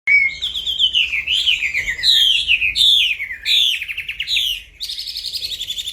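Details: Striated grassbird singing at night: a quick run of whistled phrases and buzzy, rattling trills, each note sliding downward, with phrases changing every second or so and a steadier rising-falling whistle at the end.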